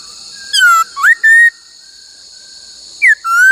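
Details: Laughingthrush in song training gives loud, pure whistles: a falling slur, a quick rising note and a level held tone, then after a pause a further descending whistle, all over a constant high-pitched hum.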